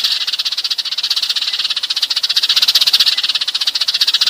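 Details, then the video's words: Sparrows calling to gather the flock, a recording played by bird catchers to draw birds in: a fast, buzzy stream of high chirps, slightly uneven in loudness, swelling near the end. "tiếng sẻ gọi bầy"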